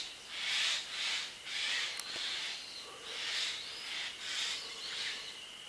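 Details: About ten unseen Eurasian jays that flew in close to a dense bamboo thicket call back and forth in harsh, rasping screeches, about eight in under six seconds, one bird answering another; a single faint click midway.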